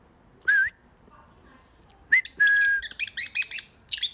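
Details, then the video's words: A parrot gives a short whistled call, then after a pause a run of brief, loud, harsh chattering squawks and whistles. "birds making noise"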